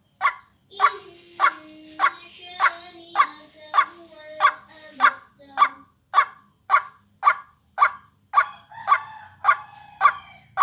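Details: Lure recording of a white-breasted waterhen for vocal training, with rough croaking notes at an even pace of nearly two per second. Sustained low tonal whistles in the first half and a constant high whine in the background.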